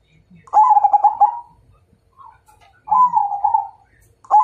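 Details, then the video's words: Zebra dove of the Majapahit type calling to challenge a fight: a pulsed, stuttering coo phrase, then a smoother drawn-out coo, then the start of another phrase. "Suara Perkutut MAJAPAHIT Ngajak Tarung"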